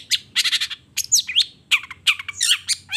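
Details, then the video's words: Long-tailed shrike singing in the morning, with 'toet toet' notes and a varied repertoire: dense, rapid chattering bursts mixed with twisting, slurred high whistles. "Suara Cendet Gacor Di Pagi Hari Toet Toet Bongkar Materi"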